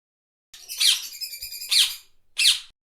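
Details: Parrot squawking: three harsh, high, screechy squawks, the first running into a long buzzy trill before the next two short screeches.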